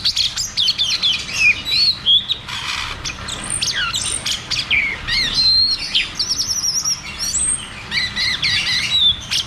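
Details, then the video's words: Rolling 'ngeroll tembak' song of the cucak cungkok, used as therapy for caged birds that have stopped singing. Busy high whistles glide up and down, and twittering runs and trills continue with hardly a break. "Therapy dan Pancingan Burung Macet Bunyi || Cucak cungkok Ngeroll tembak"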